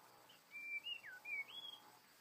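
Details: Wild white-rumped shama, said to be trapped and angry, gives clear whistled phrases: a level note, a quick dip, then rising slurred whistles, with little background sound.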